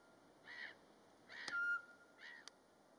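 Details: Eurasian pygmy owl in Latvia in March, during daytime in mating season, giving its mating song unprovoked: soft, even whistled hoots about one each second, over faint background hiss and a couple of sharp clicks.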